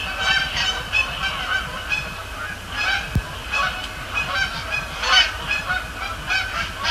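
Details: A flock of Canada geese at night on Sapsucker Woods Pond, Cornell Lab of Ornithology, 26 October 2017, flying over and splashing down: loud, overlapping nasal honks repeated almost continuously, one sharp knock midway, faint low rumble beneath.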